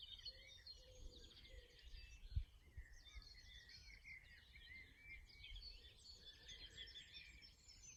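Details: Common linnet (Linaria cannabina) singing near a lake in spring, with herons nesting nearby: a fast twittering jumble of high chirps and trills running almost continuously, over low rumbling wind noise.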